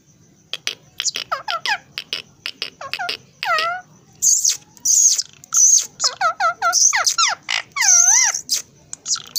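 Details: Pet talking parrot vocalising: a run of harsh, nasal, harmonic squawks and chattering syllables with sliding pitch, some bursts loud and raspy, delivered in uneven bursts with short pauses.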